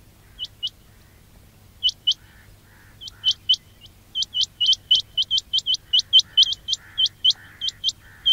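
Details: Quail call for trapping: high, sharp, rising chirps, sparse at first, then building into a fast, steady series. Soft, lower murmuring calls run faintly beneath.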